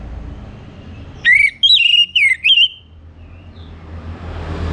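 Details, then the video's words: Orange-headed thrush from North Bali, morning song to encourage birds to sing: a single phrase of four loud whistled notes, wavering and slurring, followed by a faint soft whistle, against a low hum. "Kembali Bunyi Dengar Pancingan PAGI HARI 99% Efektif bikin ANIS MERAH GACOR"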